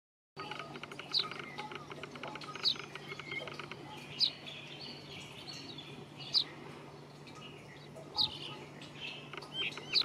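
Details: Brown rock chat, or Indian chat, giving a sharp, high, slightly falling note repeated about every one and a half to two seconds, with a steady low hum and faint chirps of other birds behind.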